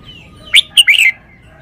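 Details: A red-whiskered bulbul in a cage gives a show song phrase: a short rising note, then two quick, loud, liquid whistles ending in a falling slur, with a thin faint whistle before and after.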